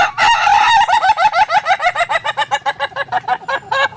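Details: Ayam Ketawa chicken crowing in a long, rapid series of about twenty short pulsed syllables across four seconds, opening with a drawn note and continuing as steady rhythmic laugh-like chuckles that slowly weaken.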